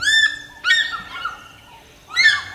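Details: An African Fish Eagle at Lake Naivasha, Kenya, gives loud, ringing yelps in three bursts. The notes are high, clear and slurring downward, with a quiet pause between the second and third bursts.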